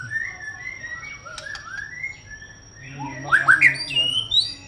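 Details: White-rumped shama giving soft scattered whistles with a few clicks, then a louder burst of sharp, rapidly rising and falling whistled notes followed by high thin phrases.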